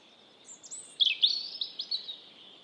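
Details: Robin song: a quiet thin whistle, then louder bright chirped and slurred notes in quick succession, high and clear above soft steady background noise.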